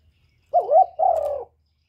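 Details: Spotted dove giving one low coo phrase: a quick wavering note, then a drawn-out, gently falling hum lasting about half a second, against a quiet background.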